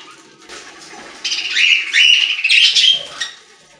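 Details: Budgerigars in a pet store, a soft murmur of background chatter rising into a loud, buzzy warbling phrase with whistled rising notes that then fades.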